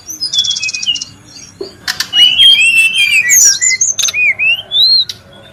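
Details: A Brown-chested jungle flycatcher vocalizes in the wild with a buzzy trill opening, a brief gap, then a rapid cascade of high, rising and falling whistles and chirps, ending in separate upslurred notes.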